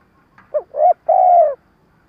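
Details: Decoy spotted dove giving a stuttering coo-and-call used to lure wild doves: a short low hooting note, a rising coo, then a long steady mellow hoot, all in quiet surroundings.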